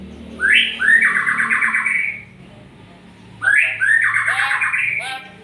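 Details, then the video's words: Magpie-robin (murai) delivers two loud phrases, each a rising note then a rasping, rapidly pulsed trill, over a constant low droning background. "SUARA burung MURAI"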